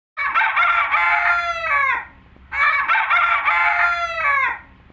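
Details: Rooster crowing twice in succession, each crow a loud, harmonic-rich cock-a-doodle-doo lasting almost two seconds and trailing off in a falling tail, with a short quiet gap between.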